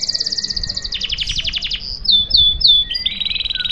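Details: A canary sings fast, high trills and rapid chattering notes, then bright whistled phrases and a buzzy rolling trill; the song is meant to coax silent canaries into singing.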